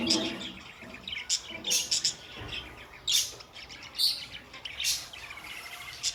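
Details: Budgies in a pet setting produce overlapping high chirps, buzzy squeaks and whistled notes in irregular loud bursts against continuous soft twittering.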